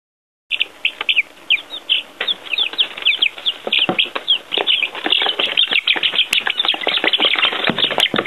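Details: Many baby chicks outside for the first time, given earthworms, peeping constantly in a dense, overlapping chorus of short high chirps that grow busier and louder toward the end.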